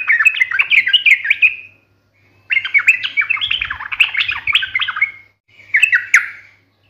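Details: An energetic sooty-headed bulbul chatters sharply in fighting style to make its rivals answer. Three dense bursts of fast, jumbled, harsh warbling notes, the middle burst nearly three seconds long, with brief gaps between them. A low hum and a few soft thumps are also heard.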